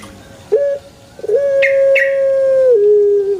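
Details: A male Barbary dove gives a short rising coo, then a long even note held for about one and a half seconds that steps down to a lower tone at the end.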